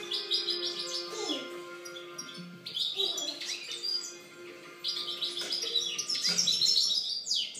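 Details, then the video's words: European goldfinch song recorded in 2013: fast, twittering high notes with buzzy trills and quick sweeps, in bursts, with lower steady tones running underneath. "Chant chardonneret"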